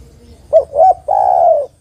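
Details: A single phrase from a female spotted dove calling the male: two short, rounded coos, then a longer, slightly rough and wavering coo.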